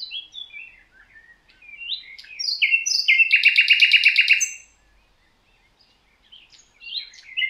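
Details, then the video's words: Common nightingale, Rawka river valley, Poland, sings scattered rising and falling notes that build into a loud, fast, steady rattle, followed by quiet and a few closing chirps. "Słowik rdzawy."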